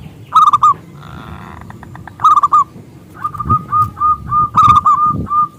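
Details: Zebra dove (perkutut lokal) used as a singing lure for other doves: bubbling rolled phrases alternating with series of clear upslurred whistled coos, some low thumps in the background.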